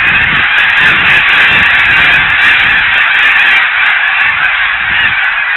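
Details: A huge flock of snow geese resting and feeding on winter ponds at Blackwater National Wildlife Refuge produces an unbroken, roaring chorus of overlapping honks, loud and steady throughout.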